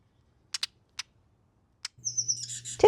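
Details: A titmouse in a Southern California garden gives a few sharp, dry chips, then a harsh, scratchy, slightly falling rasp like rusty scissors, over a faint low hum.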